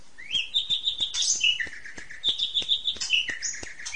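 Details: Asian pied starling singing for a ngentrok therapy recording aimed at home-kept magpie robins: runs of short high whistled notes with rising and falling slurs, over a noisy background with faint clicks.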